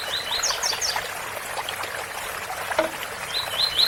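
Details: Rusty-collared seedeater singing beside the sound of a waterfall: short phrases of quick, high chirped notes at the start and end, with steady rushing water throughout.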